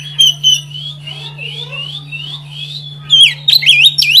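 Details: Oriental magpie-robin singing to provoke a rival bird: a string of soft rising slurred whistles, then loud looping swoops, over a steady low electrical hum.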